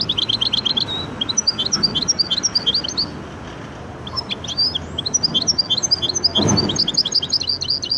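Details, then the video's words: Goldfinch and canary hybrid opening with a fast high trill, then a quieter pause and lively twittering phrases in the Widani manner, with a brief low thump near the end. "هجين ويداني ممتاز"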